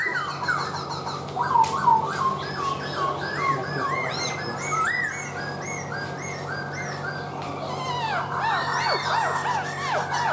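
A laughingthrush sings a rich, varied stream of arched whistles, rising and falling about three times a second, over a steady low hum.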